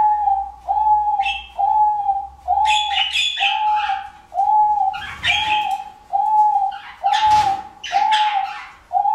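Soft, even coos on a steady mid pitch, about one a second, with scattered higher chirps and twitters from other small birds behind.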